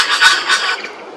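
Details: A Red Wattlebird in Australia gives a harsh, rasping call in two quick scratchy bursts, then trails off into a softer rasp.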